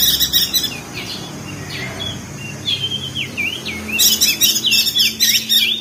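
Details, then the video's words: Crested white-eye (perenjak daun) from Lombok, West Nusa Tenggara, in a training recording for lazy-singing birds, giving ngeriwik-style chatter: rapid wavering twittered phrases that rise and fall, broken by sharp high bursts near the end. "Masteran perenjak daun [ opior jambul ] ngeriwik josh"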